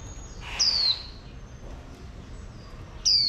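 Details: Two sharp, high descending whistles about two and a half seconds apart from a female oriental white-eye used to rouse males, with near silence between.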